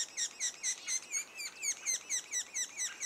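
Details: Calls from a sapsucker nest two days before first fledging: evenly spaced, sharp, high-pitched notes, each with a slight downward bend, repeated roughly three times a second.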